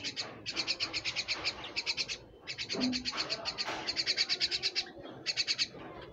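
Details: A pet Common myna gives bursts of rapid, harsh chattering notes, about ten a second, in bouts broken by brief pauses, over faint household noise.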